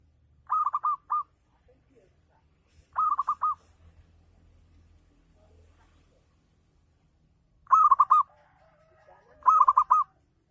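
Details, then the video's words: Local zebra dove performing ngayer song to stimulate other doves into singing: four bubbly, trilled coo phrases in two pairs, a long quiet gap between them, faint low hum in the background. "Gacor Perkutut Lokal || Pancingan Full Ngayer Perangsang Nyaut Bunyi"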